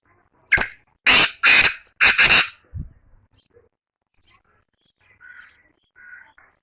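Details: Black francolin giving its harsh rhythmic call: four loud, scratchy, clipped notes, the last two run together, then a soft low thud and near silence with faint distant chirps.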